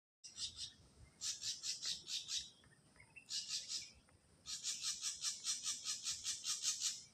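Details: Wild ashy drongo song: bursts of harsh, buzzy high notes repeated rapidly in two long trains separated by a quieter pause, with faint whistles between.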